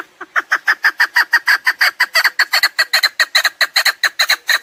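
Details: Rapid chukar partridge clucking, used for partridge hunting: steady chuk-chuk notes at about five per second, loud and even throughout with no other sounds.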